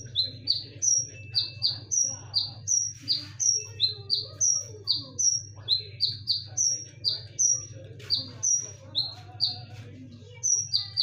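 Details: Konin singing eagerly as a lure, with sharp, ringing notes: long series of short high descending chips, switching between a higher and a slightly lower pitch, delivered in quick steady runs with a faint low background hum.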